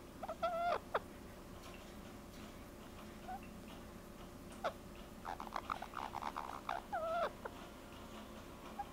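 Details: A pet rose-ringed parakeet enjoys its first caresses, giving scattered short chirps and a few louder bent notes, with brief bursts of chatter in a quiet indoor setting.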